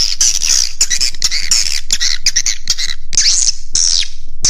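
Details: Lure sound for swiftlets meant to attract the birds to a roost: a busy stream of shrill, chattering chirps in rapid bursts, with brief gaps between clusters.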